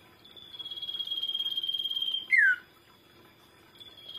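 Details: Common iora, used to lure other birds, gives a long pulsing whistle that ends in a loud falling slur, after a pause another whistle begins.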